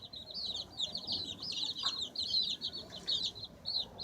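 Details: Cute baby chickens chirping while pecking and scratching: a near-continuous stream of shrill, high peeps overlapping from several chicks, steady throughout, over a soft low background hiss.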